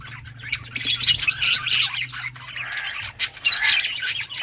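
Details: Several lovebirds of different colour mutations chattering, harsh screechy chirps in uneven bursts with brief gaps, a steady low hum underneath.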